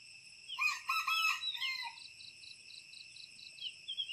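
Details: Red junglefowl near the Teuk Chob Khnar Po Community Forest, Siem Reap, Cambodia, gives a short, clipped crow, harsh and rising then cut off, over a steady high insect trill that pulses on afterward.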